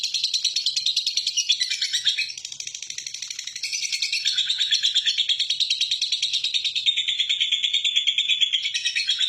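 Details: Lovebird giving a long ngekek trill in a relaxed style, used as a lure to provoke other lovebirds to sing: a continuous, rapid, buzzy chattering trill at high pitch sustained for over nine seconds, briefly dipping and softening near the two-second mark.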